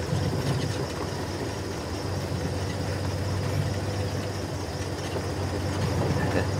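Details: Steady low rumble of an idling vehicle engine throughout, with no animal calls.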